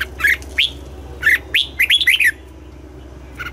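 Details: Morning song from a red-whiskered bulbul trained for the double-note style: several loud upslurred whistles, then a quick bubbling run of linked notes, fading to a faint final chirp.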